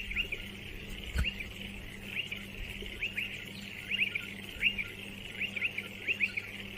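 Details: Striated pardalote giving repeated high down-slurred chips, sometimes doubled, irregularly spaced over a pulsing low hum and background hiss, with one brief thump near the start.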